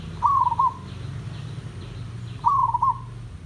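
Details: Two mellow, purring coo phrases from a village zebra dove, each a short run of rolling notes at a steady pitch, spaced about two seconds apart, with a low background drone; meant as tutor song for captive doves.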